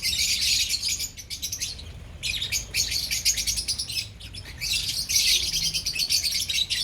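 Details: Lovebirds in a colony chatter in loud, high-pitched, overlapping bursts separated by short lulls, with a steady low rumble beneath.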